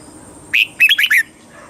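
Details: Single song phrase of a red-whiskered bulbul in Thailand, used to stimulate caged birds and tutor young ones: a quick rising note followed by three or four rollicking, bubbly whistles, then quiet.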